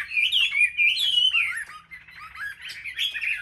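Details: Competitive singing by a caged Chinese hwamei from a market group: a loud, fluid whistled phrase with long slurs, a brief dip, then faster jumbled warbling notes.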